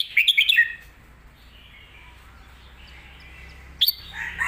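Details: Red-whiskered bulbul singing a full, fast phrase for young birds to learn: a rapid cluster of lilting whistled notes, a quiet pause, then a sharp note and further chirping.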